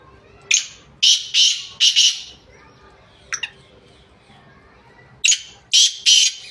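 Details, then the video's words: Black francolin, known locally as Sindhi teetar or kala teetar, recorded on 2 January 2024: loud, harsh, grating bursts of rasping notes in short groups separated by pauses, with a quiet background. "kala Teetar Ki Awaz Sindhi Teetar Ki Awaz Sindhi Teetar Black Teetarvoice Francolinvoice"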